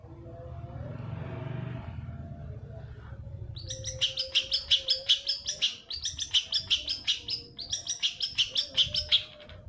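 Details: Lure recording of a long-tailed shrike meant to stimulate singing: after a few quiet seconds with low rumble, fast chattering phrases of high chips come in three bursts, each lasting about two seconds.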